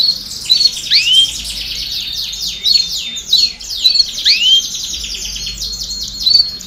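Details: Chorus of domestic canaries singing to stimulate young birds to sing sooner: overlapping high rolling trills and rapid repeated notes, with bright sweeping whistles sliding down then up, in loud bursts every second or so.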